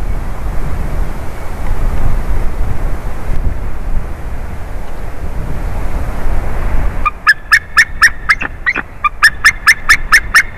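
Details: White-tailed eagle at a favourite tree during a changeover, 30 March 2019: after seven seconds of low rumbling background, a fast run of sharp, yelping notes starts, evenly spaced and repeated about four times a second.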